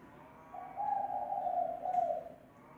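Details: Lure call of a spotted dove: a single soft, low coo drawn out for about two seconds, slightly wavering and faint against a quiet background hiss.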